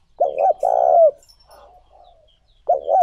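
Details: Single full spotted dove phrase used as a lure for wild doves: a brief doubled coo, then a longer, hollow, steadily held coo that dips at the end. A new phrase starts just before the finish.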